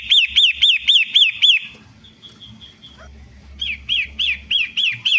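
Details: Long-tailed shrike, 'pentet matahari' type, played as a lure for birds that have stopped singing: quick repeated arched whistles break off midway into faint thin notes and a low rumble, then the fast whistled series resumes.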